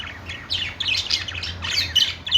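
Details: Budgies singing on a perch in a pet store: busy overlapping chatter of squeaky, scratchy chirps and warbles, with a constant low hum underneath.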